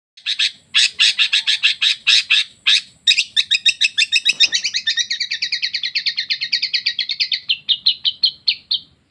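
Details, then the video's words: Long-tailed shrike imitating canary and lovebird song: a loud, fast, rattling trill of repeated chirps that runs into a quicker, even rolling series and then slows to spaced notes at the end. "Cendet pastol bongkar suara kenarian loverbid"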